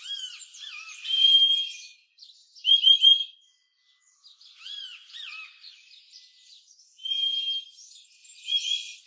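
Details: Purple-throated euphonia (Euphonia chlorotica) giving bursts of high, thin chirps and squeaky whistled notes, spaced every couple of seconds with short pauses between.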